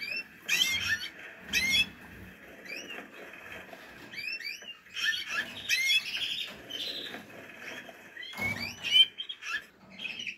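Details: Portuguese Harlequin canary chicks giving scattered high chirps and short rising squeaks in bursts, with rustling and scraping sounds between them.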